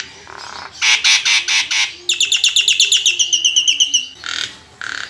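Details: Kept Nias hill myna in full song, used as a lure to set other birds singing; about five loud, harsh broad squawks, then a rapid series of ringing high notes stepping downward, closed by two further rough calls.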